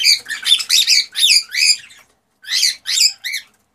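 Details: Excited male cockatiel song to stimulate a female to mate: a rapid run of harmonic whistled notes bending down and up, then a brief pause and three more similar notes.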